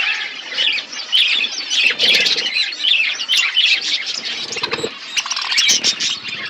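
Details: Colony of budgerigars chirping together, a continuous busy mix of high warbling notes, chirps and squeaks with brief lower rustling bursts.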